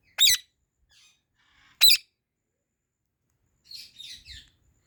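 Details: Ringneck parrot with two loud, shrill screeches about one and a half seconds apart, followed by a softer burst of rapid high chattering notes, with little else audible.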